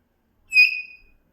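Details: A pet African grey parrot gives one clear, pure whistled note that swells quickly and then fades, lasting about half a second, in a quiet room.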